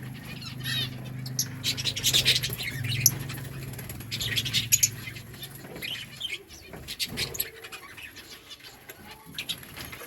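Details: Lovebirds in a breeding colony chirping: overlapping high, shrill chirps and chatter from several birds, loudest in the first half, over a steady low mechanical hum.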